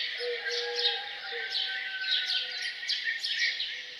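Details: Chorus of birds singing in the morning around a farmhouse: quick bright chirps and twittered phrases repeated irregularly, over low steady hummed tones.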